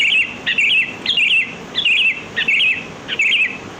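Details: Lively sooty-headed bulbul song used to lure birds: a steady stream of loud, bubbly whistled phrases, each starting with a sharp upward flick and rolling on, repeated about every half second.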